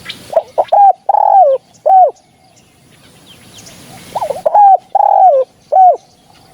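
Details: Hunting lure recording of spotted dove: a stuttering start of quick low notes runs into a long, slightly falling coo and a short closing coo. The phrase repeats twice, with faint bird chirps between.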